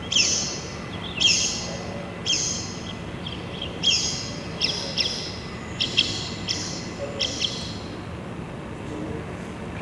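Blyth's Pipit giving harsh, buzzy call notes, about ten in ten seconds at an uneven pace, some with a short 'ch ch' quality, over a faint room hum.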